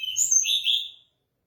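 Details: Mangrove blue flycatcher singing a short high whistled phrase of about one second, clear notes sliding between roughly mid and high pitch with a bright upper harmonic, ending abruptly into silence.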